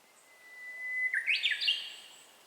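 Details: Japanese bush warbler song recorded by handheld camera: a long, steady, even whistle held for about a second, then a quick rising burst of bright, jumbled whistled notes. Quiet background.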